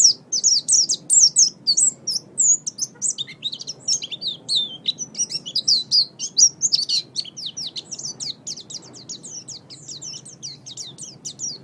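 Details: Oriental white-eye singing a chattering song meant as a training model for songbirds; an almost continuous, fast stream of very high, thin twittering notes that rise and fall and run on without real pauses.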